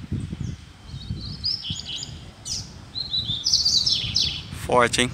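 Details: Loose wild double-collared seedeater in a neighbourhood: high fast twittering phrases with buzzy slurred notes, broken by a pause, alongside rustling, knocks and a brief rasping sound near the end.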